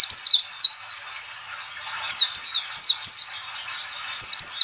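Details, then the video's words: Lure call in the 'ngalas' style for prompting white-eyes to sing: a rapid run of bright, looping chirps, then a cluster of four sharp downslurred notes and a final pair, over constant faint high twittering. "CALL CALL NGALAS cepat memancing PLECI BUKA PARUH"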